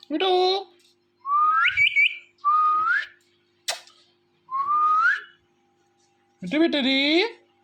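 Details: Talking pet ringneck parrot: a nasal, harmonic call, then several rising whistles, some ending in quick trills, a sharp click, and a final drawn-out speech-like call, with a faint steady hum underneath.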